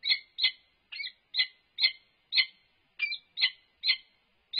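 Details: Two peregrine falcons interact at a UC Berkeley nest box, 3 November 2021: an unknown male on the roof and the resident female. About ten loud, hoarse, clipped calls come roughly every half second, some doubled.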